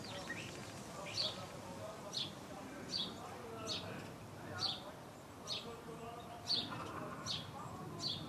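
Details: Common starling giving sharp, high, slurred calls about once a second over a steady murmur of lower chattering and rattling notes, recorded in a garden in Hengelo, Netherlands.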